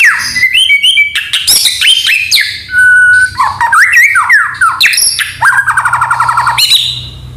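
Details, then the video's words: Shama song full of canary and cililin imitations: quick chips and rising notes, a steady pure whistle, twisting warbles, and a long rapid stuttering trill that closes the passage. "murai gacor full isian kenari cillin"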